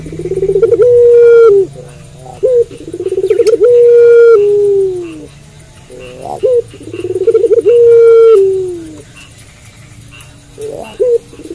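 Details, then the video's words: Puter pelung dove, a calling variety of Barbary dove, cooing lively at night: a short rolling, trilled lead-in, then a long drawn, steady mid-pitched coo sliding down at the end, with short clipped notes between phrases, repeated three times. "Puter Pelung Gacor Manggung Malam Hari"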